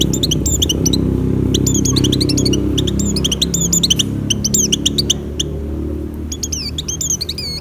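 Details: High chirping bursts from an Oriental white-eye in breeding condition, its song used to draw in other white-eyes. Short clusters of sharp, thin notes are separated by brief pauses over a steady low hum.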